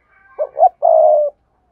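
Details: Spotted dove used to lure wild birds: one phrase of two short rising hoots followed by a long, level, vibrating coo.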